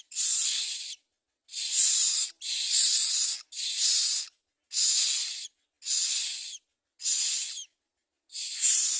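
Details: Common mynas at their nest bringing food to their chicks: harsh, hissing rasps about a second long, repeated roughly every second with short gaps, high and breathy throughout; no other sounds stand out.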